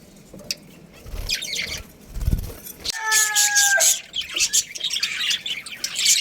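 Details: Budgerigars, a pet breeding pair with their family, give bursts of high scratchy chirps and warbles, with a steady tonal note near the middle and soft rustling and thumps between calls.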